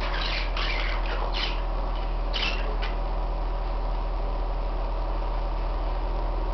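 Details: Pet parakeets give a handful of harsh, scratchy squawks in quick bursts during the first three seconds, then quiet except for a steady low hum throughout.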